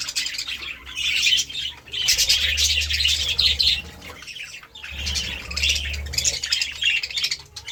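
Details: Budgerigars eating seeds and vegetables, giving dense, scratchy warbled chatter in bursts with short quieter gaps, a low steady hum beneath.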